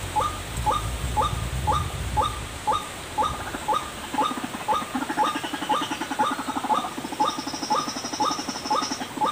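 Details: Bird-luring call of a white-breasted waterhen. Evenly spaced clipped notes come about twice per second, with low rumbling at the start and fainter higher chatter joining toward the end.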